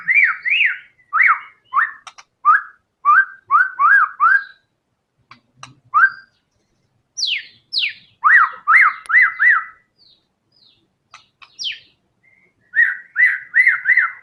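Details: White-rumped shama (murai batu) in full gacor song, unloading its isian fills in fighter style: series of loud whistled down-up notes in bursts of three to four, sharp falling high whistles near the middle, then rapid repeated slurred notes, with short silent gaps.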